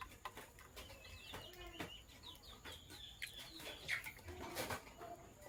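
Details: Lovebirds, Sky Blue Opaline and Green Opaline, in the morning: a run of shrill, quick chirps and short rising-falling notes from several birds, with scattered clicks and a low background rumble.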